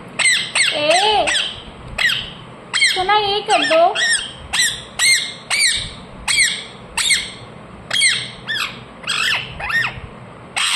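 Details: Pet ring-necked parakeet producing a long series of sharp, falling screeches, about fifteen in ten seconds, fairly evenly spaced, with a couple of lower warbling, wavering passages near the start.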